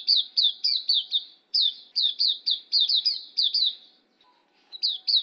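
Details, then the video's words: Hume's white-eye, pleci auriventer, in a tutor recording: rapid series of high, sharp chirps, each sweeping down, in quick bursts separated by brief pauses, with a faint low hum behind. "Masteran Suara Burung Pleci Auriventer"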